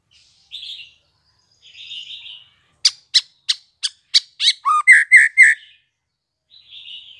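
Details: Young white-rumped shama, newly fledged with spotted plumage: soft murmured chatter, then sharp ticks speeding up into a low downslurred note and three rasping buzzes, ending in quiet chatter.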